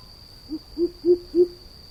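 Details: Greater coucal calling: four deep, hollow hoots, each louder than the last, evenly spaced about a quarter second apart. A faint steady high-pitched electronic whine runs throughout.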